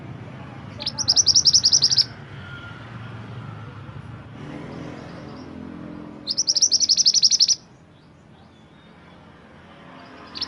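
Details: Two loud bursts of rapid, high trilled notes from a Mantenan gunung bird, each roughly a second long and several seconds apart, over soft background hiss; recorded as master song for songbird training.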